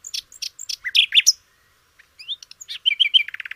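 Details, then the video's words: Flycatcher song kept for training canaries: a jumble of sharp high chirps and slurred whistles, a brief gap, then warbled notes running into a quick rattling trill. "kicau burung sikatan londo"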